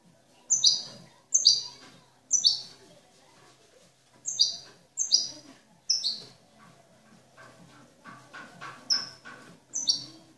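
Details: Jilguero, the European goldfinch, praised as a flawless master bird of 'cante limpio' style: bright high twittered notes repeated about once a second, then a run of softer rapid ticks near the end.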